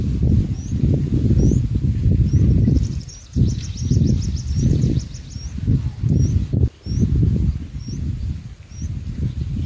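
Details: Baby bulbuls in their nest during feeding give sharp high upward chirps at intervals, broken midway by a rapid run of quick ticking notes, all under strong low rustling and rumbling.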